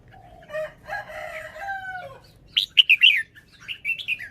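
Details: Red-whiskered bulbul showing its song phrasing: after soft background whistles, a loud, lively phrase of bouncy, warbled notes rises and falls, trailing into a softer rolling ending.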